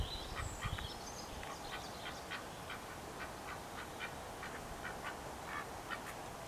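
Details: Farm ducks in the Polish countryside, with natural background sounds; many short quacks repeated about twice a second, fairly faint over a steady low rumble.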